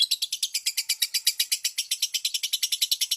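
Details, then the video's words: Lovebird singing, played to coax other lovebirds into answering: an unbroken, even run of rapid scratchy chirps, about seven each second, throughout. "SUARA KHUSUS PANCINGAN BURUNG LOVEBIRD BIAR IKUT BUNYI"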